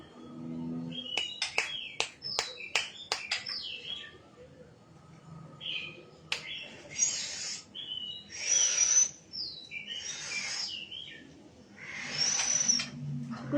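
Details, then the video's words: White-rumped shama singing: sharp clicks and rapid whistled notes at the start, then loud rich whistled phrases alternating with rasping bursts, with pauses between phrases. "Shama birds..calling bird singing Bird"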